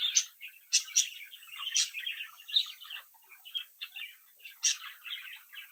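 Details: Budgerigar chicks bred in captivity, tweeting, singing and mimicking indoors: energetic stream of warbled chirps with bright sharp clicks, fading a little midway then picking up again.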